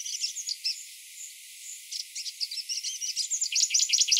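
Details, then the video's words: Grey-breasted prinia in morning song: a few scattered high chirps, a short lull, then quick, sharp notes that grow faster and louder toward a dense rattling finish. "Grey Breasted Prinia Singing"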